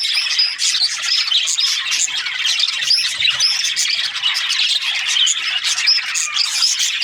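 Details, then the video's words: Australian budgerigars, many birds together, in a steady, dense chatter of high warbling chirps and squeaks with no pauses. Occasional sharp whistled notes stand out from the flock. "Australian budgies chirping sounds"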